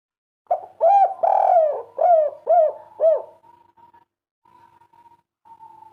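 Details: Spotted dove (tekukur) delivering a quick run of soft, rounded coos, the longest note early and the rest short and falling, then fading to a faint steady tone and near silence.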